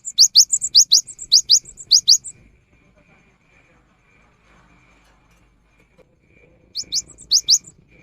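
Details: Cinereous tit singing as a rainy-season lure: an opening run of about ten high, sharp, downward-swept notes in quick pairs, a pause with a faint steady hum, then a shorter run of the same ringing phrases.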